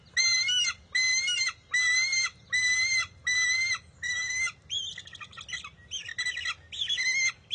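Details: Bald eagle eaglet at a nest, competing with its mother for a fish on June 23, 2021; a series of high, thin, harmonically rich squeals about once a second, turning into rougher, broken chatters toward the end.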